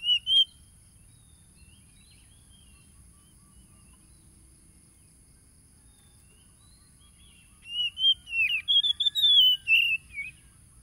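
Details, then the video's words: Lure song of an Oriental magpie-robin, phone-recorded 30 July 2022 in East Lampung, Lampung, Indonesia, to provoke caged birds: a short whistled note, a long quiet gap, then a lively run of varied whistles and slurred notes. "PANCINGAN SUARA KACER AGAR EMOSI"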